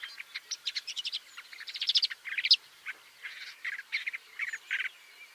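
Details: Hunting shrike that impales prey alive: rapid scratchy chatter of short buzzy notes, a rising squeaky phrase near mid-clip, then looser harsh chirps after a brief gap.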